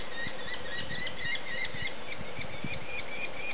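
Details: Hungry young sparrowhawks calling during feeding, thin high chirps running quickly together, mixed with soft low thumps and rustling.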